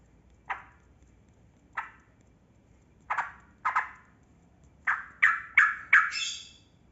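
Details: Yellow-vented bulbul, a trucukan kebo type, giving spaced harsh chattering notes that become quicker and brighter near the end. Sung in a long, lively ropel style and played to prompt quiet bulbuls to start singing.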